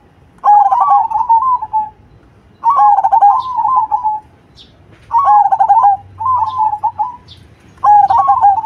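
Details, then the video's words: Black cemani zebra dove sings loudly, repeating trilled coo phrases about every two and a half seconds. Each starts with a jerky, stuttering run and settles into a smooth drawn note. A faint high chirp is heard between phrases. "Perkutut Cemani Gacor Suara BESAR"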